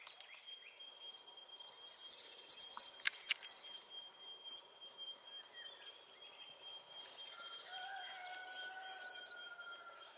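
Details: Male European serin singing constantly in its habitat near streams and wetlands with active dragonflies: two bursts of very high, fast, jangling twitter, like glass splinters, over a steady insect whine, with a lower whistled bird note late on.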